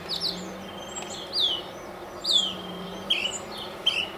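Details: Northern mockingbird, a male perched high in a mesquite tree in central Arizona, delivering separate high slurred phrases about once a second, each with a different shape, some falling and some short and clipped, against faint background noise.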